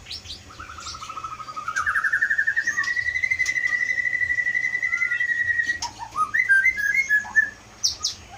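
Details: White-rumped shama from Aceh Leuser, forest-caught in 2016 and caged since 2018, a gifted mimic, sings a long steady trill that climbs then holds level for several seconds, followed by quick chirpy phrases and high sharp notes.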